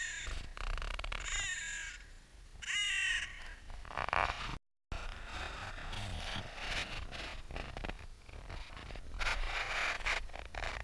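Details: Several crows in spring at Clara Park, recorded with mild slow motion: harsh, broad cawing bursts in the first three seconds, a brief cut to silence near the middle, then scattered rough calls over a noisy background.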